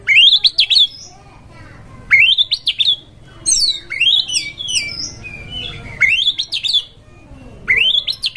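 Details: Oriental magpie-robin in breeding heat, singing as a lure for other birds: loud rising, sweeping whistled phrases in bursts roughly every two seconds, separated by pauses over a steady low hum.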